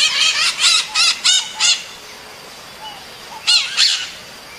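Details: Maritaca parakeet calling to another; five loud, raspy squawks in quick succession over the first two seconds, a pause, then two more harsh squawks near three and a half seconds.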